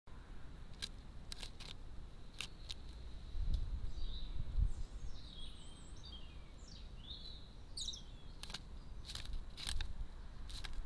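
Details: Sharp, short 'kik' notes from a great spotted woodpecker, one of a garden family of two adults and a young bird visiting a feeder, at an uneven pace, with thin descending whistles from another bird over low rumbling.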